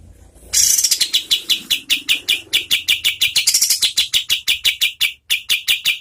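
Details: A medium-speed oriental white-eye song recorded for training competition birds. A buzzy opening flows into a steady run of crisp, high, repeated notes that continues for about five seconds.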